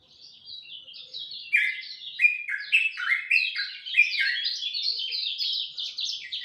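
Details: Dawn song of a lemon-bellied white-eye: starts softly, then grows into loud, rapid twittering with sharp downward slurs, turning into a dense, warbling chatter near the end.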